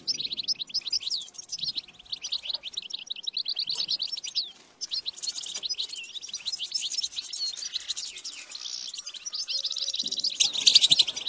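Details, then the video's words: A European goldfinch keeps singing nonstop in a long run of fast, bright twittering with repeated sweeping chirps, swelling louder and harsher toward the end. "La canción de motivación más fuerte hace que el jilguero cante sin interrupción."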